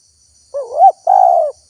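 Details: Single two-part coo of a spotted dove used to lure wild doves: a rising, wavering first note followed by a longer, steady hollow second note, clean and close with no other sounds.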